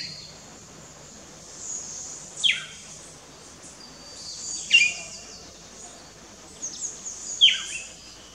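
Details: A Pearly-eyed thrasher at Wallings Dam, Antigua, gives three sharp, high calls that sweep steeply downward, spaced two to three seconds apart, over a steady high background hiss of insects.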